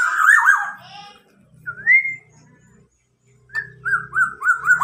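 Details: Captive tame local black-naped oriole mimicking a police car siren: looping whistles, a single rising slurred note, then rapidly repeated up-and-down siren wails over a low indoor hum.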